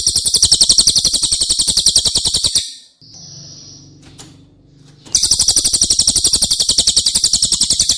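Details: Cililin song used to train caged White-rumped Shamas. A long, high, rattling trill of fast, evenly spaced pulses breaks for a quiet two-second gap with a faint whistle and low hum, then returns just as strongly.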